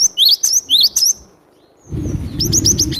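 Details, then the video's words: Java sparrow, glatik batu, in full lively song for luring: bursts of high, bell-like chirps with rising and falling notes, a pause, then more chirping over a low rumble of background noise. "Suara glatik batu gacor buat pikat pasti dapat"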